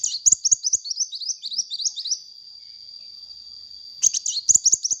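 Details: Sunbird in full song, used for luring birds: a quick run of high, slurred twittering notes lasting about two seconds, a quiet gap with a steady high whine, then another burst of chirps.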